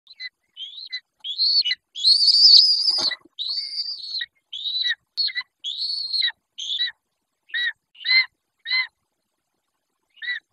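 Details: Long-legged buzzard chick at a raptor nest in the Judean Desert, Israel, seen on a nest camera: a string of high, squealing whistled calls, some long and drawn out, others short and clipped, coming in rapid irregular bursts that thin out toward the end.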